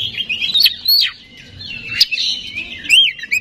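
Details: Magpie-robin lure song meant to excite rivals: long, sliding whistled notes woven with twittering and a few sharp upward strokes.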